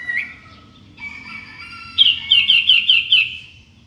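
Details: In the morning, a sooty-headed bulbul gives a rising whistle, then a held note, then a rapid run of about six bright, bouncing notes.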